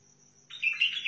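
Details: Quick half-second of silence, then a lively chirruping whistled phrase from a Basra bulbul of the Sihani type from Al-Faw.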